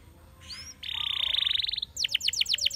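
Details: Spanish Timbrado canary singing: a faint upward whistle, then a rapid, even, metallic trill held for about a second, followed by a brisk run of bright descending notes repeated about eight times per second.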